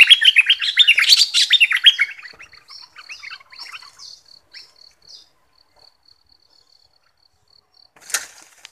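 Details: Caged southern Thai red-whiskered bulbul, a new decoy bird kept two months, singing a fierce 'double' style song played for young birds to copy. A two-second burst of quick warbled, rising and falling phrases fades into softer scattered notes, then one sharp note near the end.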